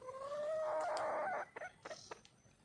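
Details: A wild red junglefowl hen calls to attract a male with a long, tonal, slightly rising note held for about a second and a half, then a few short, sharp clucks trailing off into quiet surroundings.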